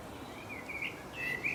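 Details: Male common blackbird singing from a tree branch in England: soft, fluted whistled phrases that rise and fall, with a brighter, louder phrase near the end, over a faint hiss of background noise.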